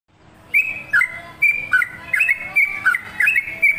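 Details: Sooty-headed bulbul in lively, energetic song: bright bubbly whistled phrases of quick up-and-down notes around a steady pitch, loud notes spaced irregularly about every half second, with faint low background hum.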